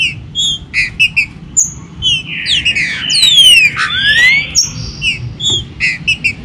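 Green-winged saltator song of bright, clear whistled notes and sharp chips, about one a second, with overlapping sweeping whistles from other birds midway.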